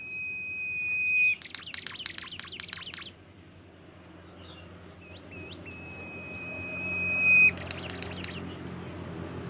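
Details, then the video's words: Bimoli bird singing actively (gacor): a long steady high whistle, then a burst of rapid buzzy trilled notes, a pause with faint short upslurs, another steady whistle and a second rapid trill burst. "super jos burung Bimoli gacor"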